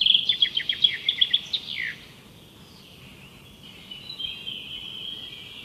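A woodpecker gives a quick series of high, sharp notes for about two seconds, then a falling note, followed by a faint, thin high trill with forest hiss behind.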